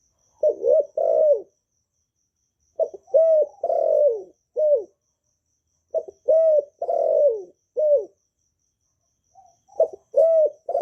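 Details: Kept Vietnamese spotted dove (cu gáy) giving calling, urging and crooning coos used to spur newly kept doves into song, recorded cleanly indoors-quiet; three low phrases, each a clipped note, a longer falling coo and a short final coo.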